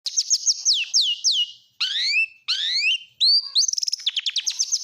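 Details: Oriental magpie-robin, a national-type kacer, singing a song full of imitations of lovebird, canary and prinia. Clear descending whistled slurs repeated quickly, then rising sweeps, a sharp upward note and a fast rattling trill.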